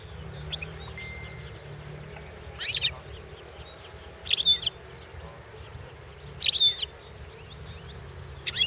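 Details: Competition recording of a European goldfinch at the 2016 World Championship in goldfinch song: short bursts of high, tinkling twitter about every two seconds, with a low steady hum between phrases.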